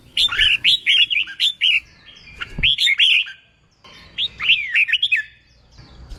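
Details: Newly caught red-whiskered bulbul in training for song contests delivers quick clear whistled phrases, looping up and down, in three short bursts with silent gaps between them.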